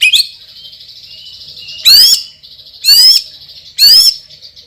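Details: White-rumped shama, a champion singer with a loud, strong voice: three harsh, rising, buzzy notes spaced about a second apart over a thin sustained high tone.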